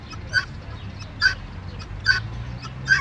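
Guineafowl giving harsh, clipped calls roughly once every 0.85 seconds, four in a row, over a low background rumble.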